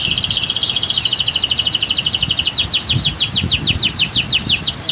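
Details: Canary singing over loud rushing water: a fast, dense, buzzy trill that breaks into clearly separated, rapidly repeated high notes.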